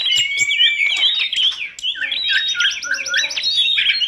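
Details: Short burst from a masteran compilation of kacer, tledekan gunung and prenjak: quick looping whistles and a repeated series of rising chirps, bright and continuous.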